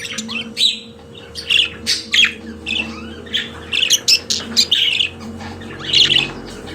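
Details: Pet budgerigar song made of scratchy chirps and buzzy squawks in quick bursts separated by short pauses, over a constant low hum.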